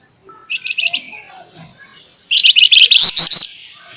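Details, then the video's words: Active flamboyan singing sharp, rapid chatter for a training recording: a short bright trill of quick repeated high notes, a pause with faint twitters, then a louder, denser, high, harsh trill of about a second. "FLAMBOYAN GACOR FULL NEMBAK NYERECET MBESET TAJAM"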